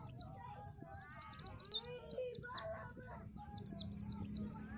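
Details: High, rapid twittering phrases of an Oriental white-eye, bursts of quick slurred notes, mixed with softer mid-pitched chirps and warbles from other birds and a constant low background hum.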